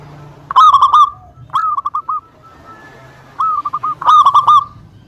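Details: Zebra dove of a local strain giving its lure song to make rivals respond: two rolling bursts of fast, bubbly coos separated by a short gap and a quieter, clipped phrase, with faint low background hum.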